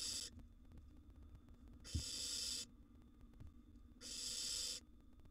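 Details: Nest-box barn owl chicks, wild siblings competing for food: three steady, harsh hisses, each under a second long and spaced roughly two seconds apart, with a single soft thump between the first two.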